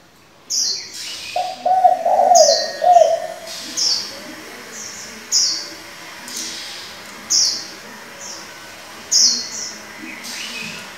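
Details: Spotted dove decoy, calling in varied voices to stir and train young doves. A rolling low coo early on, followed by a series of short, bright chirps spaced a second or so apart.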